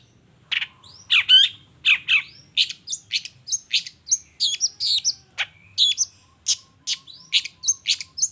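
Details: Long-tailed shrike in chatty 'toet toet' lure song to make other shrikes reply: steady stream of short sharp notes, high thin whistles and scratchy buzzes, several per second, continuing without pause.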